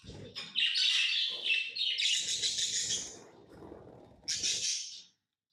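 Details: Tame lovebirds calling in loud, sustained grating chirps that run together, a low rumbling noise underneath, then one last shrill burst before silence.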